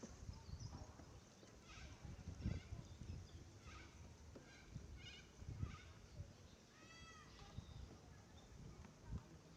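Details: Red-capped parrots, a nesting pair at a tree hollow in a dead Swamp Banksia in south-western Australia, the female bothered by feral honeybees. Harsh calls with stacked overtones repeat several times, then one downward-arched call near the end, over steady low rumbling noise.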